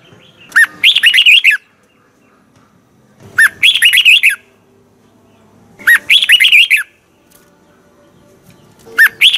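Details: Double twisted voice of a red-whiskered bulbul in morning song training: each phrase opens with a sharp downward note followed by a rapid run of bubbling warbles, repeated about every two and a half seconds.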